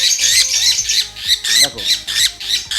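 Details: A Fischer's lovebird held in hand, one of two, calls a lot; the owner says heavy calling marks the male. It gives harsh, shrill squawks in quick bursts, several each second, as a man talks underneath.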